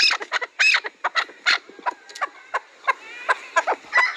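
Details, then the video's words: Chukar partridge giving harsh, clucking calls in quick irregular bursts, some notes with a brief clear whistled tone, the loudest near the start and middle. "Кабки Сурак"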